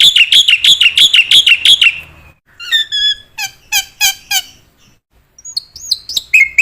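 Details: Black-winged myna singing actively, recorded as training material for other mynas: a fast string of bright repeated chips, then slower harsh squawky notes with pauses, closing with rising whistled slurs.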